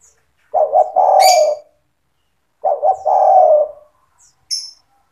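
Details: Persistently singing spotted dove, a recording meant to coax young doves into song. Two low cooing phrases, each two quick notes before a drawn-out falling coo. Brief high twitters from other birds sit above.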